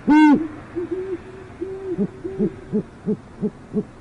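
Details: Great horned owl parents at a northwest Oklahoma City nest: one loud, full hoot opens, then a string of softer, shorter hoots repeating about every third of a second from a quieter owl.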